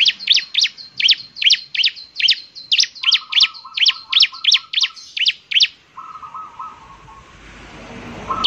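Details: Bar-winged prinia pouring out a fast run of high, sharp zipping notes about three per second, joined by a lower, wavering trill, then fading to near silence before a final note.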